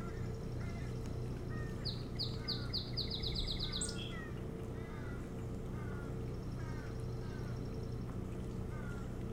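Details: Osprey at its nest on Hog Island near Bremen, Maine, recorded 25 July 2018 by a nest camera: a run of about ten high, clear whistled chirps, quickening toward the end, then scattered softer chirps over a steady low hum.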